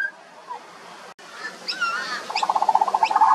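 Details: Juvenile pied butcherbird singing: a few soft slurred whistles, then a fast run of short pulsed notes repeated about four times a second, growing louder toward the end.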